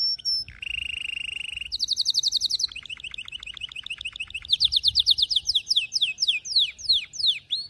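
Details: Canary singing for training young birds: a brief high note, a buzzy steady trill, a higher rapid trill, then series of quick repeated notes ending in fast downward-sweeping whistles, loud and continuous.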